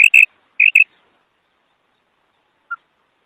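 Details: A female quail calls two sharp high double notes in quick succession, then falls silent apart from one faint short note near the end.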